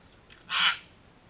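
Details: Backyard sulphur-crested cockatoo giving one short, harsh, grating screech that swells and fades within about a third of a second, against faint background hiss.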